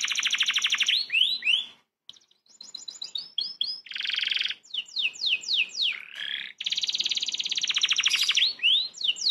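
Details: Canary song from a master training recording for young magpie-robins: rattling rolls and dense buzzy trills alternate with clear downward-sliding whistles and short brief pauses, loud and varied throughout.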